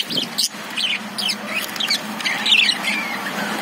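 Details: Caged lovebirds chirping: sharp, high twittering notes in quick irregular bursts, with a steady low hum running underneath.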